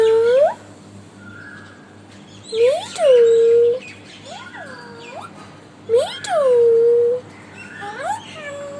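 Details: A six-month-old pet Alexandrine parakeet talks, said to be saying "Mittu" and "I love you". Three loud, rising then level voiced phrases are spaced a few seconds apart, with a soft steady hum behind them.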